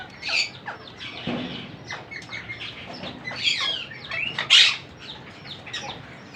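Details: Monk parakeet babies being fed by a parent, giving dense, scratchy, overlapping chattering calls. One sharp loud squawk stands out near the end, and there is soft rustling.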